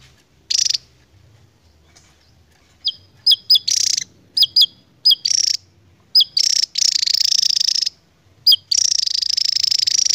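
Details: Javan tesia, a Javan endemic whose ngebren song is unusually long for its build: one buzzy burst, then a quick series of sharp high clipped notes, ending in long, sustained, rattling high trills.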